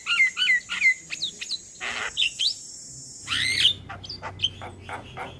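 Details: Male Javan myna calling to companions, played as a lure for catching mynas: a series of whistled downslurred notes with harsh bursts and short clicks. A steady high hum runs through the first part.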